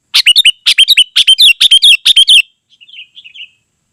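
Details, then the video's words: Dense, lively song of a sooty-headed bulbul, used to call wild birds and as a model for caged ones: quick bursts of bright, bubbly chattering notes, then soft trailing twitters fading out. "Suara Burung KUTILANG GACOR Sangat Rapat"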